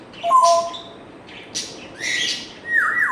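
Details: Pet African grey parrot mimicking sound effects at close range: a short flat whistle, harsh raspy bursts, then a long whistle that holds steady before sliding downward at the end.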